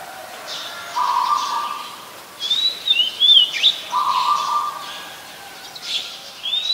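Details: Oriental magpie-robin, a very common resident, singing in Ubon Ratchathani, Thailand, on 28 October 2021, recorded on a Nikon P1000. Clear whistled phrases slide up and down, with a steady lower humming tone running beneath in two long stretches.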